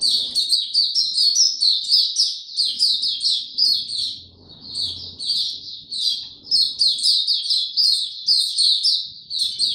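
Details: Fast, continuous high twittering from a caged white-eye, notes packed tightly in a rapid rhythm with brief dips, over faint low background sounds.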